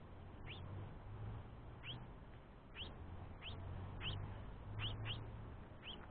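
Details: Begging from a young House Finch after its father, who feeds it while the mother takes a break. Seven sharp, rising squeaks repeat at irregular intervals of roughly half a second to a second, with a low hum beneath.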